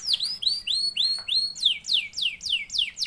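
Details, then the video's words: Canary singing as a lure to set other canaries off: long arching whistles, then repeated steep descending sweeps at a steady pace of roughly three per second, clear and high-pitched. "LANGSUNG NYAUT GACOR DOR KENARI MANASAJA DENGAN PANCINGAN KENARI GACOR"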